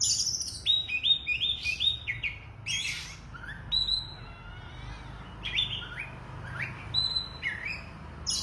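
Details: Oriental magpie-robin singing energetically, mixing quick repeated rising whistles, harsh rasping bursts, a long level pure whistle and a wavering trill-like phrase, with varied notes throughout over low hum.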